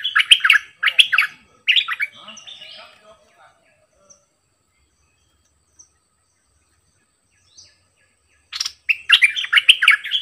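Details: Caged sooty-headed bulbul used as a decoy pours out three fast, rollicking phrases. A long quiet gap follows before it resumes with another dense burst of bubbling notes.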